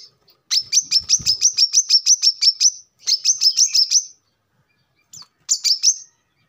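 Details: Brown-throated sunbird song used as a lure and a model for training birds: two fast bursts of high, clipped chirps, each lasting over a second, then a brief third burst after a pause.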